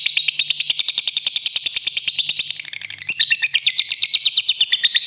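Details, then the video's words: Calling lovebird in ngetik ngekek style, used to get rival birds singing quickly: an unbroken high, rattling chatter of quick repeated notes that turns harsher and denser in its final two seconds. "suara burung Lovebird memanggil ngetik ngekek ampuh bikin lawan cepet bunyi"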